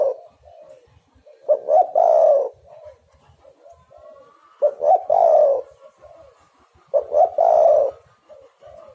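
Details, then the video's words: Spotted dove cooing, meant to draw in birds for trapping. Three strong phrases of two quick notes leading into a long vibrant coo, roughly every 2.7 seconds, separated by soft scattered low coos. "derkuku super gacor pikat dapat burung bagus"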